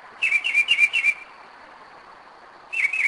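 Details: Mockingbird night song at 2am in Kennesaw, Georgia, 2011: a rapid series of five identical falling whistled notes, silence, then two more similar notes. A constant faint high tone runs beneath.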